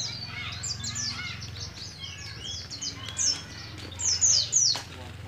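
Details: Young kept Oriental white-eye from Moga, Pemalang, Central Java, learning ngalas ngeroll: soft scattered high chips early, then a few loud, sharp, falling whistled notes near the end, over a low steady hum.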